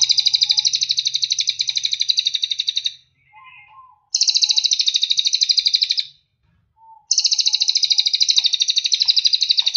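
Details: Mountain tailorbird, known locally as cililin, singing for a training recording meant to make birds sing: three long, rapid, high trills of repeated sharp notes, each about three seconds long. Short pauses hold faint soft chirps, and a low hum sits underneath.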